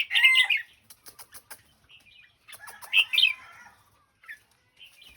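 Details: Red-whiskered bulbul singing in the Thai phrase-counting style. Loud, rich warbled phrases open and recur midway, separated by soft rapid clicking notes and short, quieter whistled fragments.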